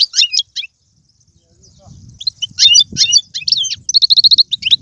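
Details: European goldfinch song meant to excite a pet goldfinch into singing: scattered high chirps, a pause with a low rumbling background, then dense liquid twittering ending in a rapid trill.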